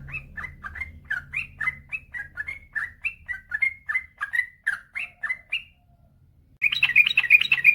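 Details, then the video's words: Sooty-headed bulbul, a male in full 'ropel panjang' rapid singing, played to coax silent birds: quick run of short liquid whistles, a brief pause, then a denser burst of higher chattering notes over a low rumble. "suara burung trucukan gacor ropel panjang"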